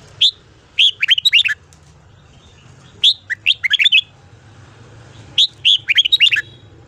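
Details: Red-whiskered bulbul singing a morning 'ché' song for voice training: three near-identical phrases about two and a half seconds apart, each a loud whistled opening note followed by fast bubbling notes.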